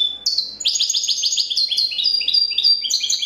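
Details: Competition champion European goldfinch singing a clean copia-style song: a fast run of bright, high tinkling notes and short rising and falling whistles, delivered continuously without pause.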